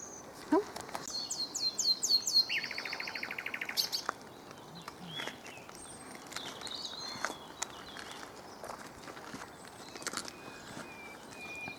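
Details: Common nightingale singing in the sun: an opening series of rapid repeated high notes flows into a fast, lower, rattling trill. Scattered faint notes follow over steady background noise and soft knocks.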